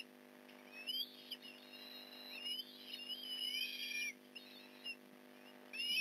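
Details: Osprey at the Port Lincoln nest during a fish delivery, 8:24am on 15 November 2019: thin, high whistled chirps in rising and falling strands, in bursts with quiet gaps, fairly faint.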